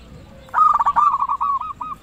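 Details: Local zebra dove in loud song, used to get other zebra doves singing: a rough rolled burst followed by a quick string of short, evenly spaced, hooked coo notes.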